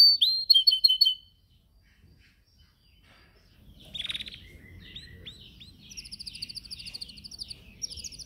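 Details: Yellow canary singing in a cage during training, recorded on a Samsung S8 Plus phone: a rapid high trill in the first second, a quiet pause, then a burst followed by repeated upward-flicking notes and closing fast, high, rattling phrases.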